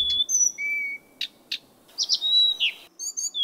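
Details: Blyth's reed warbler song at night, mixing long pure whistles at several pitches with dry, buzzy ticks and a burst of quick slurred notes, the phrases loud and sharply separated by short gaps.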